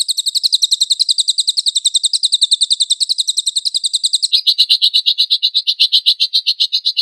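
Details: Lovebird singing energetically, used as a lure to provoke other lovebirds to sing, with 'tembakan kasar' (harsh burst) material: a rapid high chattering trill of evenly repeated buzzy notes that shifts to a lower, coarser trill partway through.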